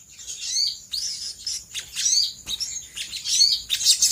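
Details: Sooty-headed bulbul in lively chattering lure song meant to draw replies from other birds: quick, high, rising whistled notes in short bursts, each phrase followed by a brief pause.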